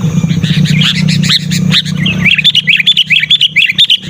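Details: A sooty-headed bulbul, loud and persistent, calls to wild bulbuls as tutor material for caged birds. A rich bubbly warble gives way to a quick series of clear, upward-flicked chirps, over a low hum.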